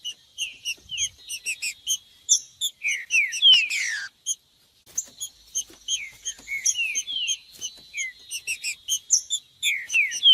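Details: Green-winged saltator warm-up song for stimulating captive tournament birds: quick high chips repeated several times a second, broken by loud downward-slurred whistles, with a brief pause near the middle before the chipping resumes.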